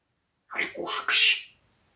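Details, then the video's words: Pet parrot swearing at the cat indoors in Russian; a single short phrase of about three rough, voice-like syllables, the last one higher and brighter, in a quiet room. "Попугай матерится на кота"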